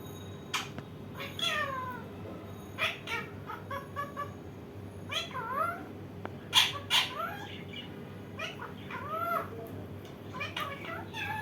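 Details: Indian ringneck parakeet, a funny parrot, uttering many short, curving, mew-like calls and harsh squawks in irregular bursts over about ten seconds, with a steady background hum.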